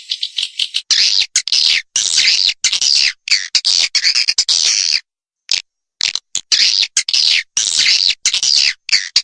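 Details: Swiftlets recorded for a lure to attract them. Sharp, buzzy chattering comes in chopped bursts separated by abrupt silent gaps, each burst a harsh wideband rattle with a brighter high band.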